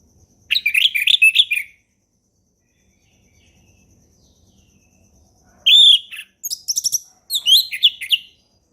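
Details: Relaxed ngeplong song from an orange-headed thrush, used to tutor young birds: a rapid warbled trill of rising and falling notes, a quiet gap, then a loud whistle followed by varied chattering phrases.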